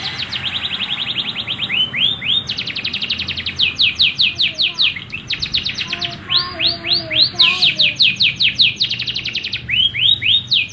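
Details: Rolling canary song: fast tours of repeated downswept notes, roughly eight to ten per second, separated by brief gaps, with a soft lower warble beneath in places.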